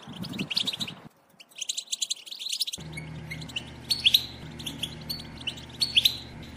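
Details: Female European goldfinch batbata, a twittering used to stimulate males to sing and mate: bursts of high, rapid chirps and tinkling notes, a brief near-silent pause after the first second, then scattered bright, sharp call notes over a low steady hum.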